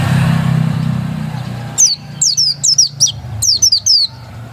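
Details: Oriental white-eye, described as a pure original bird, giving a rapid series of high, down-slurred chirps after a stretch of low rumbling engine-like noise.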